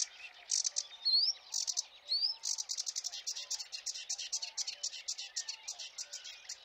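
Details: A sedge warbler near dawn on 8 May on a cold meadow in the Biebrza area delivers a fast, scratchy chattering song, rapid churring notes broken by a few clear rising whistles, running on without pause.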